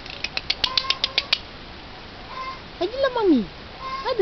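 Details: Eurasian jay, a crow relative able to imitate other birds, producing a quick series of dry clicking notes, then a loud down-slurred, mewing whistle and a shorter rising one at the close.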